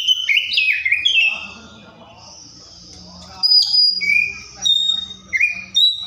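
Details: Oriental magpie-robin giving rich whistled phrases, sliding down and up, with a quiet pause mid-phrase before short bright whistles resume.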